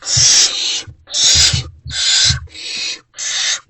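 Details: At night in Owl Box C on 28 February 2024, barn owls receiving food; short, rough hissing bursts come in quick succession, about five in under four seconds, over dull thuds.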